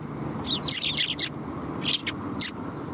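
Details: Excited twittering from a group of sparrows at a Tenmangu shrine on 13 December 2021. A rapid tumble of bright chirps is followed by two or three isolated sharp notes over faint low background noise.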